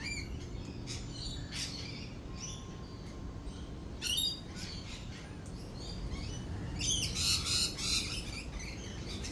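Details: Lorikeets calling during rolling thunder and lightning: scattered harsh, screechy bursts and short chirps, some louder clusters near the end, over a steady low rumble of thunder.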